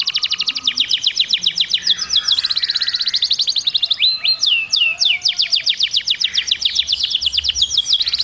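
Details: Canary singing in long, fast rolling trills of sharp repeated high notes, broken near the middle by a few slower sweeping whistled notes that rise and fall before the rapid trill resumes.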